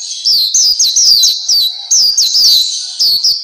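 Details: Black-capped white-eye song from a bird-training recording: clear high whistled notes, each curling downward, repeated in quick groups of three or four.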